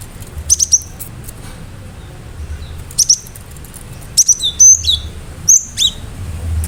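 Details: Cinereous tit, locally gelatik batu, singing hard: scattered triplets of very high chips, then a livelier passage of sharp whistles and downslurred notes toward the end, over a soft background hum.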